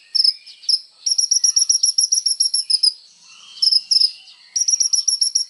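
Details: Sunbird known locally as kolibri ninja, singing vigorously as training material: scattered high chips build into fast, even rattling series of sharp notes, pausing briefly before another quick run.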